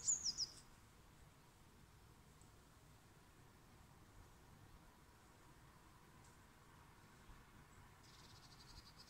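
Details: A Eurasian blue tit perched fluffed up in a garden tree on the morning of 11 July 2020 gives a quick burst of thin, very high descending notes, then a faint high buzz near the end over soft hum.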